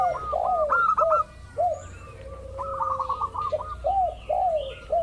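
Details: Zebra dove of the local type, played as a lure for rival doves: repeated arched cooing notes interleaved with rapid high stuttering phrases, steady low background hum.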